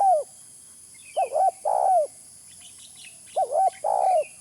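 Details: Spotted dove phrase for bird-catching lure: a falling coo, then twice a quick wavering double coo followed by a long, slightly descending hollow note, with faint higher chirps from other birds.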